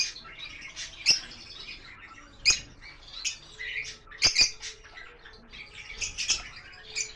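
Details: Lovebirds, including lutino and Fischer's lovebirds, kept on a bird farm: dense, overlapping high chattering and squeaky twitters from several birds, broken by sharp loud squawks and clicks near one, two and a half, and four seconds.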